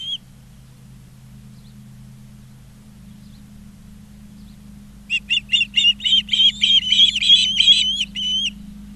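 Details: At a Charlo, Montana osprey nest on 20 August 2023, a near-silent start gives way to a rapid run of sharp, high chirping whistles, about three or four a second, with a faint low hum throughout.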